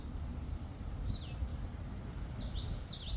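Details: Birds chirping outdoors: high, thin descending and rising chirps in quick overlapping bursts, over a steady low rumble of background noise.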